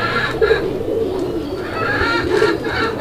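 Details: Domestic pigeons of local Bangladeshi breeds, including Chila and Bombai, kept on a farm near Gazipur: short low coos heard in a noisy indoor space, with chattering bird notes above.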